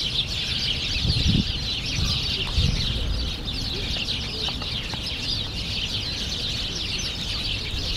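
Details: A flock of house sparrows bathing in sunlit puddles in Druzhby Park, Moscow, on March 3, 2014, in early spring, keeps up a dense, continuous twittering of high chirps over a low wind or traffic rumble.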